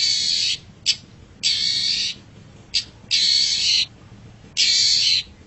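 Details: Long-tailed shrike master sound for pet birds: long, loud rasping screeches of about a second each, separated by brief sharp clicks and pauses.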